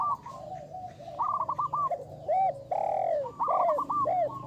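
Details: Zebra dove of local stock, a big-voiced lure bird: a rapid string of short stuttered coos followed by several long, loud arched cooing notes with short gaps between them.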